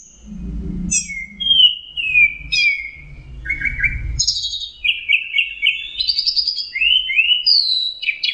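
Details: Orange-headed thrush (anis merah) singing vigorously: long run of clear whistled notes, some slurred downward, others in buzzy trills, mixed with sharp high chips, a low rumbling hum underneath in the first half.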